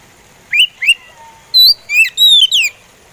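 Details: Oriental magpie robin in slow song, delivering well-spaced whistles: two rising slurs, a soft low whistle, then a higher clear note and a quick cluster of sweeping, partly downslurred whistles.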